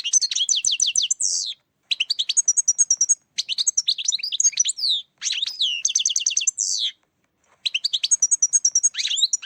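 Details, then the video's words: European goldfinch song as a trapping lure, five energetic phrases of rapid high twitters, trills and buzzy slurs, each lasting one to one and a half seconds, with short silences between them. "Saka yakalama sesi"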